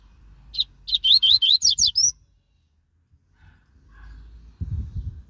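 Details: Double-collared seedeater, caged and out on a walk, giving one rapid phrase of about eight clear, sharp up-slurred whistles, followed by quiet and low handling knocks.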